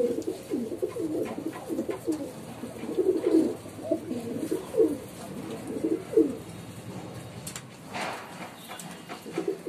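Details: Female pigeon cooing almost without pause: a long run of low, throaty, warbling coos, loudest in the middle and trailing off, with a brief sharp click near the end.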